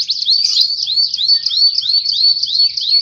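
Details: Kept canary singing a steady series of rising, whistled upslurred notes, roughly three per second, forming a regular rolling phrase with a faint low background hum.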